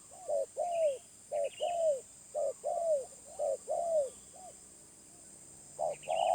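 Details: Wild spotted dove singing in the medium voice. Quick paired coos, short then long and drooping, come in a run of four, then a pause, then a new phrase begins. Soft high chirps from other birds are present.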